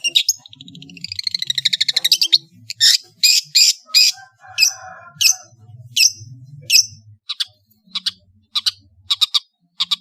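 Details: Long-tailed shrike from Madura singing a rough variation. A fast buzzy rattle leads into loud harsh rasps, then spaced sharp high notes, over a faint low hum.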